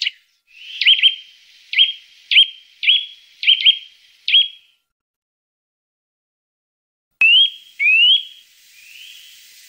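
Eurasian nuthatch giving seven bright, upslurred whistled notes about one every half second, then a pause and two longer rising whistles.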